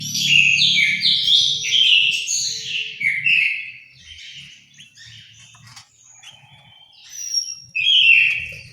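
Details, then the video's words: Orange-headed thrush singing in an aviary in Malang, East Java: loud, varied whistled phrases sliding between high notes for about three seconds, a quieter stretch of scattered notes, then another strong burst near the end. Low thumps underneath. "suara burung anis merah"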